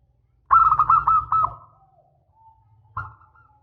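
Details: Local zebra dove singing in the long style prized for lures: a fast run of about eight bubbling coos that trails into a softer falling note, then a single short coo, with a low hum beneath.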